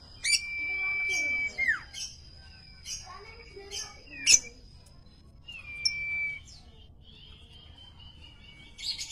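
Common iora singing long, drawn-out pure whistles that slur downward, mixed with sharp high chirps and a thin sustained high tone, in quiet surroundings.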